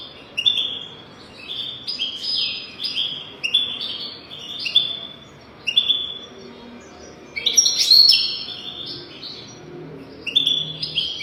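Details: European goldfinch singing to teach young goldfinches their song: a steady chain of short, bright chirped notes about twice per second, broken near the end by a denser, louder burst of tinkling twitters.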